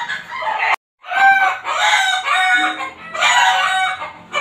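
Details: Chickens kept next door in a backyard, heard every hour even at night: harsh harmonic squawks, a short break, then sustained loud cackling calls in two long bursts.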